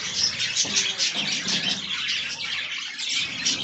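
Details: Feeding budgies on fresh green leaves keep up softer continuous chirping and warbling, high and scratchy, with faint low rustles beneath.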